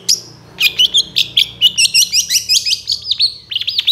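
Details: Young moulting long-tailed shrike singing energetically, a master recording packed with varied phrases, used as a lure; rapid chirps and slurred whistled notes, many dipping or rising, follow one another almost without pause.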